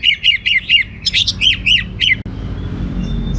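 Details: Orange-headed thrush delivering a fast string of about ten repeated chirped notes, evenly spaced, then stopping abruptly into low background noise.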